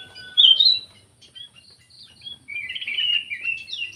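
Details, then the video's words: Black-crested bulbul lure call: one loud, sharp whistled note followed by soft scattered chips, then a long, fluttering, buzzy warble in the second half. "SUARA PIKAT KUTILANG EMAS"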